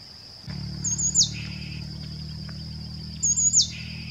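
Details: A Somali tit, a scrub specialist, sings two high, quick trilled phrases about two and a half seconds apart, each sliding down into a lower note, over a steady high whine and low hum.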